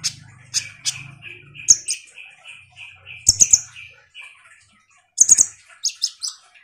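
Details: Van Hasselt's sunbird (kolibri ninja), a bird in strong song used to spur lazy birds to sing. Soft evenly spaced mid-pitched notes run under scattered high sharp chips and a few rapid ticking bursts.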